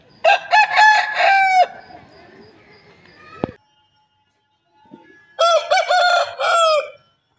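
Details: Aseel roosters crowing: two hoarse, drawn-out crows, each about one and a half seconds of stuttering, wavering notes, separated by a quiet gap with a brief knock.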